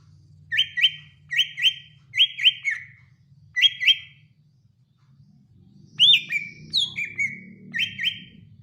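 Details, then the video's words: Greater Green Leafbird (cucak ijo), one of the BWI, Kalimantan and Sumatran songs compared: paired upslurred whistles repeated about every 0.8 seconds, then a varied burst of swooping notes over a low background hum. "Perbedaan Kicau Cucak ijo BWI, Kalimantan dan Sumatera"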